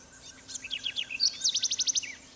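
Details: House wren recorded in Trinidad in 2005: a bubbly run of high, jumbled chattering notes, then a fast, even trill of about eight sharp repeated notes, with a short note to close.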